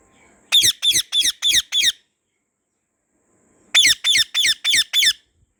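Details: White ringneck parrot enjoying a garden, calling in two bursts of five harsh shrill screeches each, rapid and evenly spaced, separated by nearly two seconds of silence.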